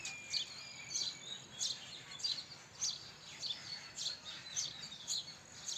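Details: Repeated high house sparrow chirps, short and piercing, coming about every half second in a loosely steady rhythm, with faint background hiss.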